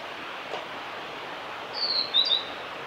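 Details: Male blue-and-white flycatcher song from the Kanazawa forest road at Lake Miyagase, Japan, 5 May 2018: a brief drawn-out high whistle followed by two quick, thin slurred notes against faint background hiss.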